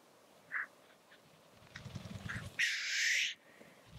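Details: Black grouse at their lek: two short soft notes, a low fluttering rumble, then a sudden loud hissing rush lasting under a second.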